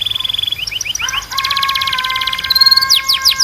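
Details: Belgian canary singing: a short buzzy trill, then a run of rising slurred notes, then a dense rattling roll over steady held tones, ending in quick sharply falling whistles.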